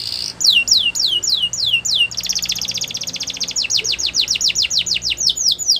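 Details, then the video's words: Singing Gloster canary: a short series of swooping downslurred whistles, then a long dense rattling trill leading into rhythmic repeated falling notes, roughly three or four per second. "Gloster Canary Singing | Canary Bird Sounds"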